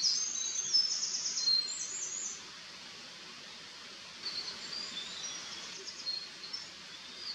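A Eurasian wren sings a loud, very high, rapid burst of trills and twitters, then a second, fainter outpouring after a brief pause, over soft background hiss.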